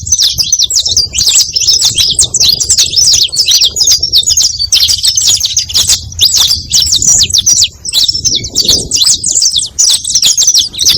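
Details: Saffron finch, sung to draw in other birds: long, unbroken high-pitched chattering made of fast repeated chirps, energetic and even throughout, dipping briefly once near the end.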